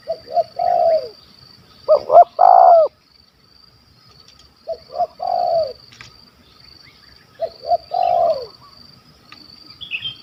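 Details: Stuttering 'gagap' spotted dove with a big voice, a wild bird targeted by hunters in Malaysia, calls in spaced phrases: two short notes and a falling coo, one louder stammered phrase, pauses of silence between, a high whine throughout.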